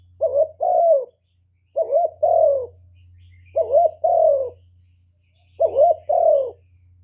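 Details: Spotted dove decoy cooing, a lure recording for attracting other doves: low mellow coos in paired two-note phrases, each pair repeated about every one and a half seconds, over a steady low electrical hum.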